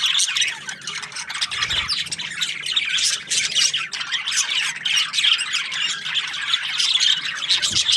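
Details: A flock of budgerigars chatters nonstop in the morning: overlapping high chirps, squeaks and scratchy warbles with no pause, bright and busy throughout.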